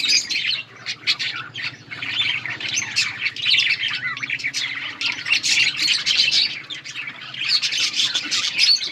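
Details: Breeding budgerigars feeding chicks: busy, overlapping high twittering and squawks from a group of birds, rising and falling in loudness, with a faint low hum underneath.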